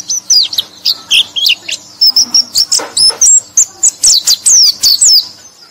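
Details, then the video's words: White-eye singing a lively string of shrill, sliding chirps and short trills, packed tightly over several seconds, used to lure and stimulate sluggish white-eyes. "KICAU BURUNG PLECI - Untuk Pancingan Burung Pleci Lelet"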